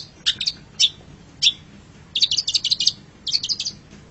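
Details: Long-tailed shrike song from a master recording: isolated sharp chirps early, then a quick run of bright, buzzy notes and a shorter final burst over quiet low hum.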